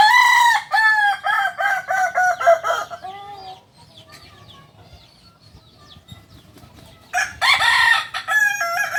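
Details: Kokok Balenggek rooster of Solok, West Sumatra, crowing in many tiers: a run of about ten short stepped syllables slowly falling in pitch, a pause with faint chirps from other birds, then a new loud crow beginning.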